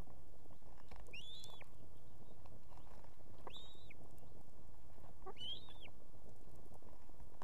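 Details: Female osprey calling from a nest with two chicks in Estonia, urging the male to bring food: three similar arched whistled cries roughly every two seconds amid constant hiss.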